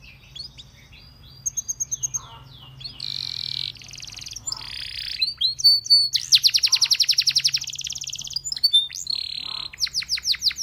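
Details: Belgian canary song meant to invite other canaries to join in: a short burst of bright repeated notes, a buzzy harsh roll, then long rapid pulsing trills that grow louder, broken by brief sweeping whistles.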